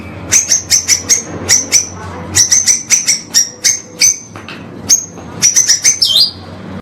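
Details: Murai batu, the white-rumped shama, singing pastol-style for a caged-bird training master: sharp, high, clipped whistled notes in quick bursts of three to five separated by short pauses, ending in a lower slurred note.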